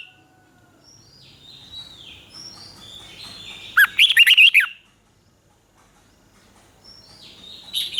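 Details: Red-whiskered bulbul from Thailand singing in the southern master style, played to stimulate caged birds and teach young birds. Faint whistled slurs lead into a loud, warbled, rapidly modulated burst, followed by quiet and a final whistled phrase.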